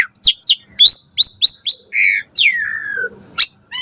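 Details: Asian pied starling singing actively in the morning, used as a lure and tutor for caged starlings: a quick run of bright rising whistles, then a buzzy note and a long falling slur, ending with a sharp upward whistle.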